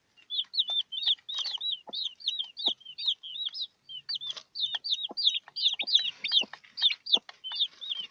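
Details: Several newly hatched chicks beside their brooding hen keep up a dense stream of shrill, rising-then-falling peeps, several per second, with light tapping noises underneath.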